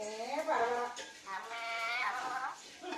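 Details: Indoor pet parrot mimicking speech in two harmonic, bleating, voice-like phrases. The first wavers upward; the second holds steady and then slides down. A quiet pause falls between them.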